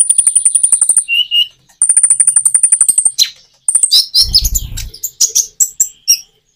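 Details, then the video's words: Common iora song used as a lure with natural pauses, meant to prompt reluctant birds to answer; very high rapid trills near the top of hearing, brief low notes, then choppy chirps and a short low thud. "Kicau burung konin jeda natural untuk pancingan"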